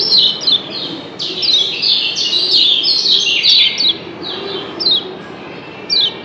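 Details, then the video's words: Lombok yellow white-eye in captivity calling in the double 'ciak' style. Rapid high, thin chirps and twitters pour out in a busy stream, then thin out into separate sharp notes spaced about a second apart. "Doble Ciak Kecial Kuning JOSS BERSAHUTAN‼️Bikin Yg Denger Pasti NYAUT‼️"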